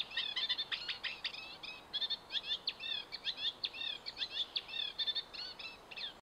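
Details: Reed warbler song from Hammer Pond, Knepp Wildland: jerky, chattering phrases of grating and whistled notes, repeated in pairs and triplets with brief pauses, over light ambient noise.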